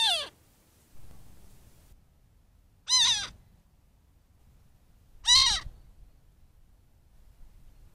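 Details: Juvenile Cooper's Hawk visiting a pond in a desert landscape in mid-morning, repeating sharp, piercing down-slurred screeches about every two and a half seconds, three in all, over soft low rumble.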